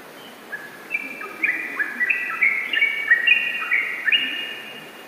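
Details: Yellow-vented bulbul singing long 'ropel' song: after a quiet start, fast, gurgling whistled notes build into a dense, tumbling run of bubbly chirps that fades toward the end.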